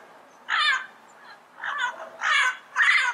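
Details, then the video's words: Four rough, grating squawks from a Yellow-headed amazon within about three seconds, the middle one softer, the last two loud and harsh. "Yellow Headed Parrot Sound Bird Call"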